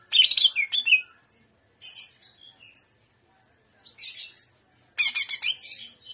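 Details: Trotolan jamtrok song of a greater green leafbird: four bursts of high, rapid twittering and whistled notes with short silences between, the first and last loudest and most strongly pulsed.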